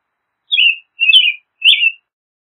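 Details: Three loud, clear whistled phrases from an American robin, each a short warble falling slightly in pitch, evenly spaced about half a second apart, with no other sounds.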